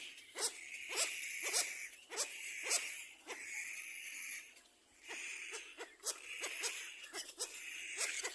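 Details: Little black cormorant chicks competing for food: harsh, buzzy begging cries in bursts roughly every half second to a second, with short gaps, against a steady noisy background.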